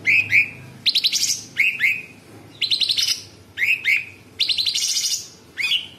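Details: Sooty-headed bulbul singing tight, rough 'tembakan' phrases. Paired rising whistles alternate regularly with quick, dense buzzy trills, about one phrase each second, with a faint low hum early on.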